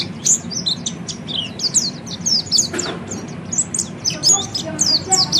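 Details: Oriental white-eye training song, a fast high twitter of short slurred chirps in bursts, with a brief click midway and a low background hum.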